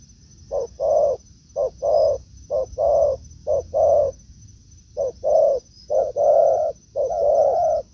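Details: Spotted dove in a forest, met by a decoy bird after a week of luring: paired coos, a short clipped note then a longer, fuller one, repeated roughly once a second, with a brief pause midway; steady high whine throughout.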